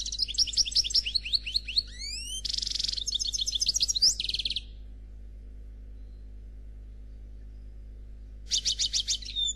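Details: Khalwi-style song of a European goldfinch (Noir), without faults: rising liquid twitters, a rasping buzzy section, then rapid bright trills; after several silent seconds a short buzzy trill returns.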